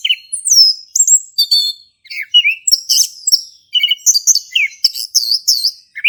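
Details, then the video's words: Male orange-headed thrush singing in the ngeplong style, played to prompt a silent thrush to sing: a rapid, varied run of high whistled phrases, sliding notes and sharp chirps with brief pauses, no other sounds. "Anis Kembang Jantan Gacor buat pancingan anis kembang macet bunyi"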